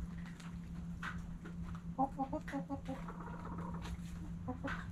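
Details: Backyard chickens at sunrise: a hen's quick run of harmonic clucks in a rapid stuttering series, then a brief pause and a few more clucks, all over a constant low hum and some faint background rustle.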